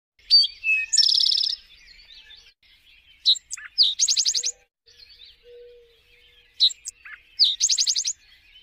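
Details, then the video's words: An Eastern Towhee sings three times, each song a few sharp introductory notes and then a fast, ringing trill, about every three seconds, with no other clear sounds. "suara burung eastern towhee"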